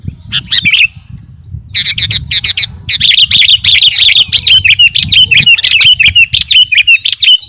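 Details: Garuda kutilang sooty-headed bulbul singing hard as training song for caged birds: opening chirps, a short gap, then a sustained stream of sharp clicks and whistled downslurs repeated about three times a second.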